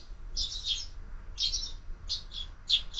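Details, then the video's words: Sparrows at a window-mounted feeder in the morning, part of year-round bird feeding; bright chirps in short bursts, four clusters over three seconds, with faint low background hum. "Воробьи в кормушке - Утро"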